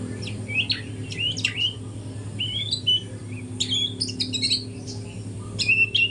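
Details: Spotted young white-rumped shama learning its song at dawn, giving bursts of high, buzzy and slurred notes with bright whistled accents, set against a steady low mechanical hum.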